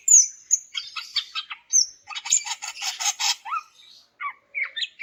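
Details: Greater green leafbird (cucak ijo), female calling to males to get silent males singing: very high sharp whistled notes, then harsh buzzy chatter repeated in quick bursts, ending in short whistles.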